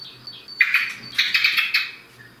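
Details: Common blackbird in the morning: faint high notes, then a loud, dense burst of quick chattering, clicking notes lasting over a second.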